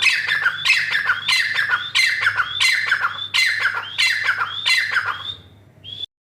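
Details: Calling female black francolin giving repeated rasping phrases that start with a thin upslurred whistle, about six phrases in succession before fading out with a final whistled note.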